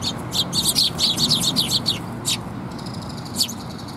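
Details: Sparrows come for food at a Tenmangu shrine on 8 October 2021, uttering a rapid run of high chirps for about two seconds, followed by a couple of isolated notes, with a soft rumble beneath.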